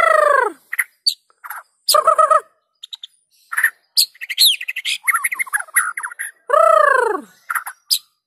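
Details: White-rumped shama song played to spur other shamas into song: loud, rich downslurred whistles open and close the phrase, with chattering bursts, thin high notes and quick warbled phrases between them.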